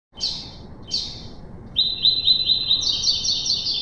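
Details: Double-collared seedeater, a six-month-old brown male singing the classic three-note song in a singing contest with a black male: two short buzzy high notes, then a fast, even, trilled phrase that steps higher near the end.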